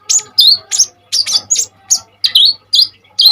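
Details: Common iora singing hard with sharp notes, played for training other birds: about ten loud high chirps at steady short intervals, several with a downward whistled slur, faint low hum behind.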